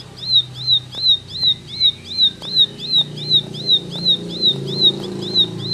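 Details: Ciblek singing 'tembakan' style, crisp high notes each slurring down and flicking up, repeated steadily about two and a half times per second, with low rumbling background noise.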